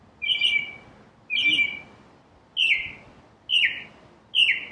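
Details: Northern cardinal song of five loud, clear downslurred whistles, each sharply attacked and fading, given about once a second against a quiet background.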